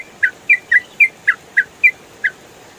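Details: Yellow-vented bulbul in ropel style, clear training recording for songbirds: eight crisp single chirps spaced roughly every quarter second, each short and slightly falling in pitch.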